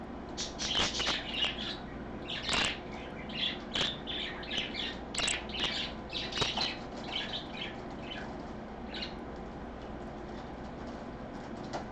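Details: A parakeet named Holly keeps up a busy run of short, high chirps and squeaks, with a few sharp clicks and rustles, possibly wing flutters, in between; Sunday 24 August 2014, 3 PM.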